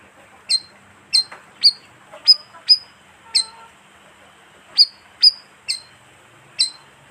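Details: Calls of the bayeman, which lives in colonies of 15 to 20 birds, used for luring: sharp, high chirps falling to short whistles, delivered in irregular bursts with a two-second pause midway, faint hiss behind.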